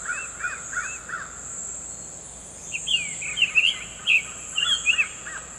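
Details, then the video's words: Summer tanager singing in the wild: four short arched whistled notes in quick succession, a brief pause, then a busier run of sharper, higher notes mixed with lower slurred ones, over a steady high insect-like hiss. ""SUMER TANAGER"(BURUNG KICAU)Full Gacor di Alam liar"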